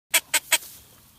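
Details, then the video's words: Blue-winged teal, recorded for Dominican hunting: three short, sharp, harmonic notes evenly spaced about a fifth of a second apart, then quiet. "Sonidos del Pato de la Florida Anas Discors"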